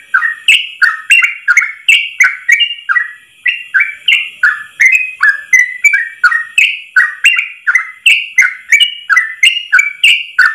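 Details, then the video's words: Yellow-vented bulbul singing a long 'ropel' song in one breath, used as a tutor recording for training other bulbuls: rapid whistled two-part notes, falling then rising, repeated about three times a second without pause. "Masteran trucukan terbaik ropel 1 nafas panjang"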